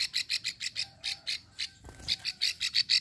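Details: Plain prinia female, Ulujami, Central Java, calling its long klik used to attract males. About ten slightly uneven, metallic ticking notes, quieter at first, louder toward the end.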